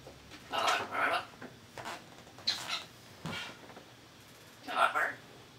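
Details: African grey (Congo) parrot's morning chatter after chop time indoors: four short, speech-like bursts of mimicked words and noises, such as fart sounds, kissing noises and "hello", spaced unevenly in a quiet room.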